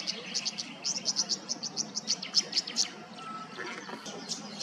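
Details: Tawny grassbird calling in Queensland: a rapid series of short, high, sharp chip notes, about five per second, evenly spaced for nearly three seconds before trailing off, with a steady low background hum.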